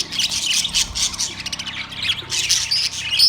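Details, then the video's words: Dense, loud chattering of caged budgerigars, September 3, 2023: overlapping high squawks and tweets run almost without pause. "Australian parrots birds chirping sounds"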